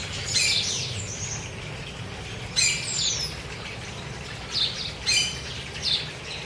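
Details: Chopi blackbirds feeding freely in Cuiabá, Mato Grosso, give bursts of sharp, descending chirps and squeaky whistles in uneven clusters about every second or two, with a constant low background hum.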